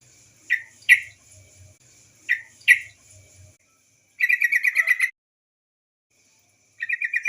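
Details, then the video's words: Female yellow-vented bulbul call used as a lure to make untrained birds sing. Two pairs of short rising chirps, then a rapid rattling chatter of about eight notes, with a brief chatter burst at the end. "suara TRUCUKAN BETINA sebagai pancingan burung trucuk bahan agar cepat bunyi gacor"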